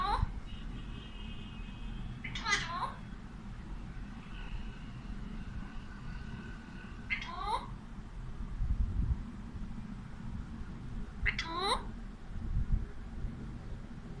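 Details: Talkative pet Alexandrine parakeet, a male, vocalizing at a mirror in Urdu and Hindi. Three harsh descending squawks come roughly every five seconds, with faint thin whistled tones between, amid quiet indoor background hum.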